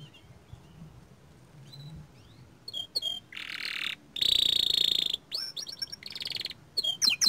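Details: Young canary of the small standard type: quiet scattered chirps at first, then loud harsh buzzing trills and a sustained rolling trill, broken by short clusters of sharp whistled notes.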